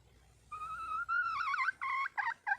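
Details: Wild red junglefowl hen seeking a male: a long, level, clear note that turns into wavering, broken syllables and ends with two short, clipped notes.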